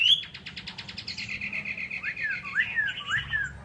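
A hwamei sings a fast run of about a dozen repeated bright notes, then slides into loud, slurred whistles that swoop up and down, over a faint indoor hum.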